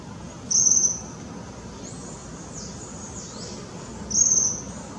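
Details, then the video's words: A young Tropical kingbird in Parque da Chacrinha, Rio de Janeiro, February 2019, gives two thin, very high, sibilant notes about three and a half seconds apart, with fainter high slurred sounds between and a steady hiss behind. "Suiriri jovem vocalizando"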